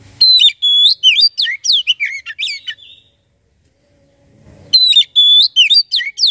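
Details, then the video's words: Oriental magpie-robin song to make a magpie-robin sing: two rich, fast phrases of varied whistles, steady tones and quick downward slurs, separated by about a second and a half of silence. "Burung Kacer langsung bunyi dengar ini"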